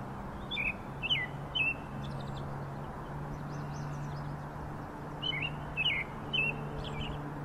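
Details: An American robin in a backyard in springtime sings two caroling phrases of three clear, slurred whistles, separated by a pause, over a steady low hum.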